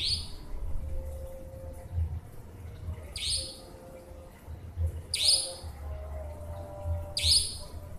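A nightjar gives sharp, explosive high notes, one every two to three seconds, over a low rumbling background and a faint steady hum.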